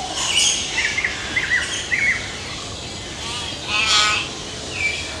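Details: Hill myna, a mountain bird found in India, uttering a quick series of short, chirpy whistles, then a loud rasping squawk and a final thin whistle, over constant hiss.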